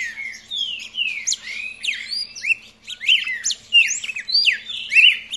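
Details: Whistled song of a young red-crested cardinal: long descending slurs, then faster chirped upslurs and downslurs in clusters, with a faint low steady hum beneath.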